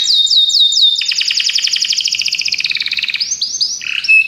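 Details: Belgian canaries in song: a few sweeping chirps lead into a long fast rolling trill, ending with rising slurred notes and a short clear whistle.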